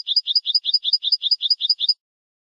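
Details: European goldfinch song in the 'bitbita' style, meant to encourage goldfinches to sing: a rapid, steady series of ten high, bright two-part chirps, evenly spaced, then silence.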